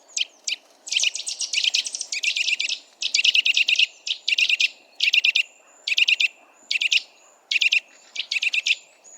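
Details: Wild Eurasian nuthatch (Sitta europaea) delivering dense, rapid trills of high piping notes, packed into bursts roughly every second. A thin sustained high whistle threads between the bursts, over a quiet background hum.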